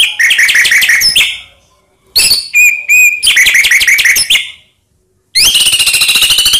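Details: White-rumped shama lure song to excite silent rivals: quick series of bright chipping notes and short ringing whistles, several separate bursts, finishing with a long rapid buzzy trill.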